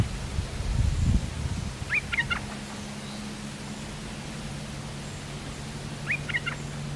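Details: Streak-eared bulbul, a large resident territory holder, answering a lure call with two brief bursts of quick, sharp chattering notes about four seconds apart, over a steady low hum and rumbling noise.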